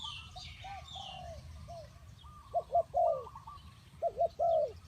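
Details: Spotted dove used as a decoy bird for trapping, giving loud two- and three-note cooing phrases, stressed notes followed by a long falling coo, repeated twice, with fainter cooing from other doves and quiet rural background.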